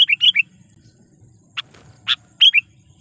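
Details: Lure call of a sooty-headed bulbul used to excite wild bulbuls: a quick run of four bubbly notes, two isolated harsh buzzy notes, then a final pair of bright warbled notes.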